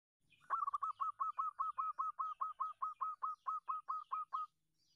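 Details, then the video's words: Local zebra dove calling, used as a lure to make other doves sing: a rapid series of about sixteen short, evenly spaced cooing notes at a steady mid pitch, ending abruptly. "perkutut lokal gacor suara mendayu Dayu bagus untuk pancingan perkutut anda pasti bunyi"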